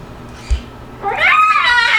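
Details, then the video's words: Pet male Moluccan cockatoo indoors, making noises while playing: after a quiet start with a soft thump, a loud harmonic call rises and wavers through the second half. A person's voice is heard just before. "Moluccan Cockatoo Talking Compilation and Playing Running Jumping Making Noises"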